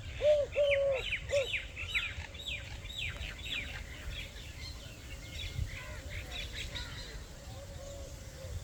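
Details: Village dove eating grains peacefully on grass in Pakistan, uttering a few soft low coos at the start, then faint ones while busy chirps and twitters of other birds dominate.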